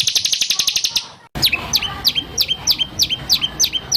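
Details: Rough 'tembakan' phrases from a White-rumped shama, used to train songbirds and provoke caged shamas to sing. A rapid high buzzy trill stops after a brief gap, then gives way to clipped whistled notes that drop in pitch, about three per second.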